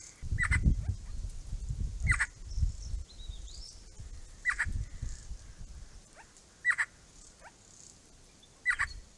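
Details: Grey-crowned babblers visiting a pond make short upward-flicking calls every couple of seconds, over loud low rumbling and splashing-like noise in the first half.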